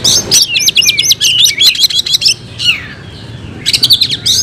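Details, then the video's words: Kept oriental magpie-robin giving fighting song: a quick burst of sharp, rapid repeated notes, a pause with faint whistles, then another short chattering burst at the end. "Kacer gacor tarung bongkar isian"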